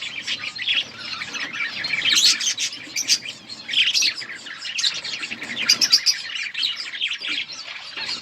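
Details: Many budgerigars in their breeding colony give high, twittering chirps in an overlapping chorus, swelling in short louder bursts.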